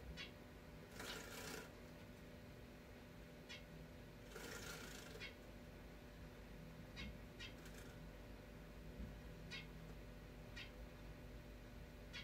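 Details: Pet zebra finch indoors during free flight, angrily scolding two other finches that keep interrupting its bath: short sharp nasal calls scattered through, with a couple of longer, rougher, noisy bursts over a steady low room hum.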